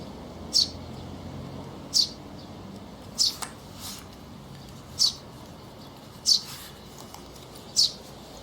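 Sparrow giving short, high single chirps about every one and a half seconds, six in all, over a faint low hum.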